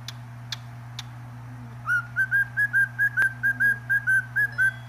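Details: Cockatiel singing: after a few faint clicks, a run of short, clear whistled notes at an even pitch, about twelve in quick succession, each slightly rising then dipping, over a steady low hum.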